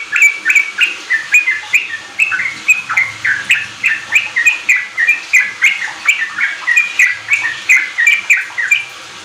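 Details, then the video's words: Sooty-headed bulbul in full, lively song, played as a lure so untrained kept bulbuls quickly start riwik and continuous ropel singing; a steady run of bubbly, slurred chirps at about three per second, with a faint low hum behind. "Pancingan trucuk ampuh bikin trucukan bahan cepat riwik ropel gacor"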